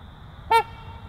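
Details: One clipped, trumpeting, nasal note from a trumpeter swan belonging to a breeding pair, with a quiet low-pitched background hum.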